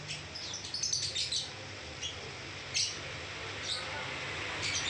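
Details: Lovebird singing ngekek style: a quick cluster of high, squeaky chirps early on, then single sharp chirps spaced out over a constant low hum.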